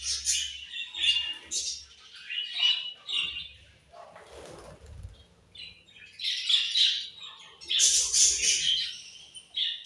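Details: Budgies chirping in short high bursts separated by brief pauses, with a rustle of wing flapping in the middle and louder twittering toward the end.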